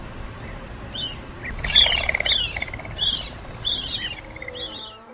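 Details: Repeated short, downward-sliding chirps from quail, given about twice a second, with a louder harsh burst early on and soft background noise throughout.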